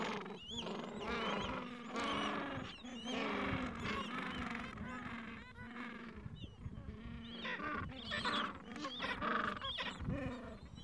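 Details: Falkland Islands gentoo penguin colony, afternoon, mild weather, adults caring for two-to-three-week-old chicks; steady chorus of raspy braying calls from many penguins, overlapping throughout with no pauses.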